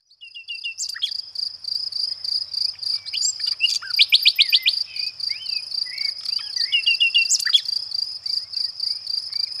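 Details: Nightingale singing a varied phrase of high whistles, fast rising trills and short repeated chirps over a steady, shrill insect buzz that runs throughout.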